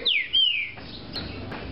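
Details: Green-winged saltator kept in captivity, called 'de fibra', giving two loud clear whistles that each slide steeply downward, the second longer and more drawn out, over a quiet hum.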